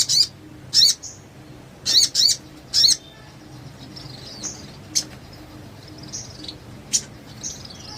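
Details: Sogon recorded as a training track to make other birds sing: five short, sharp, high chattering bursts in the first three seconds, followed by faint thin whistles and single clicks.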